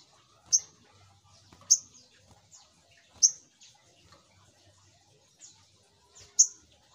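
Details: Lure call of the Little Spiderhunter: loud, sharp, high chips spaced about a second apart, with faint twitters between them.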